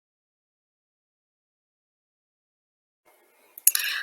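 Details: Near silence for three seconds, then a brief noisy knock and rustle at the very end.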